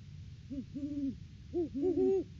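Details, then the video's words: Mated Great horned owls duetting during an off-season visit to their nest tree, December 3, 2022, live cam: short and drawn-out low hoots, the two voices overlapping near the end with one pitched noticeably higher. "Bonnie & Clyde stop by for a visit, and a Hootfest!"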